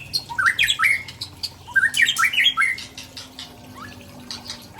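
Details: Shama from Tangse in Aceh singing rare imitated phrases: loud bursts of upward-sweeping chattering notes in two quick groups, then softer scattered chips.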